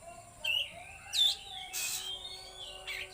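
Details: Oriental magpie-robin, trotol and konslet song style: a few separate sharp whistled slurs and one harsh noisy burst, spaced by short pauses, over a faint steady hum.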